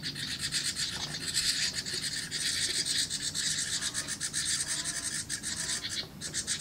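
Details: House wren nestlings in a birdbox begging as parents bring food: a dense, continuous run of harsh, raspy, high buzzing bursts that swell and fade without pause.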